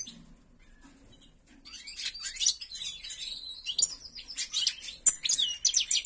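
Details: After a quiet opening second, a kept white-throated (ak gerdan) goldfinch breaks into rapid twittering song, mixing sharp chips, buzzy rattles and sweet rising whistles that grow louder and more crowded toward the end.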